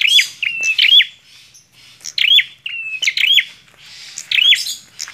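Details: Lively bar-winged prinia song: groups of loud, bright chips with swooping inflections, some led by a brief flat whistle, repeated in irregular bursts with soft hiss between.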